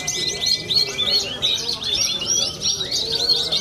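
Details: Young contest songbird from central Cilacap, Indonesia, with a champion record at songbird competitions. It sings a dense, fast stream of high chirps and trills, with a steady thin tone running beneath during the first half.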